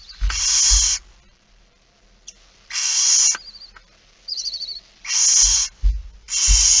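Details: Begging barn owls at feeding time, 06:57 on 13 September 2019 in the Netherlands: loud hissing screeches repeated several times, plus a brief thin wavering squeak and low thuds and scrapes in between.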